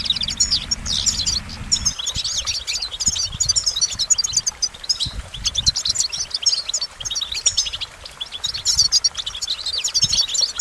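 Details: Goldfinch singing a continuous bright, high chatter of quick twitters and short trills, with a low rumble in the first two seconds and scattered soft knocks later.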